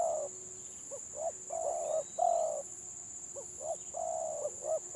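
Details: Spotted dove, stuttering village type, singing in competition: paired clipped coos and long even purring notes in two phrases, a faint thin whistle from another bird, steady hum and high whine behind.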